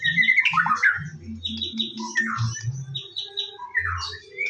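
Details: White-rumped shama (murai batu) singing in the morning, a lure recording meant to make birds sing actively: harsh squawking notes mixed with quick whistled phrases, with a steady low hum underneath.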